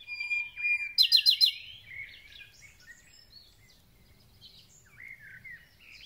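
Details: Thrush nightingale singing at the start of spring: steady whistled notes, then a short loud burst of rapid clicks, followed by quieter scattered twittering phrases.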